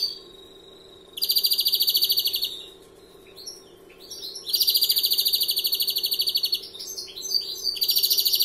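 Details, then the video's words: First-year European greenfinch singing larguero phrases: powerful fast trills interrupted by quick chirping notes and falling whistles, repeated across eight seconds over a low background hum. "Verderon novel larguero alguna nota"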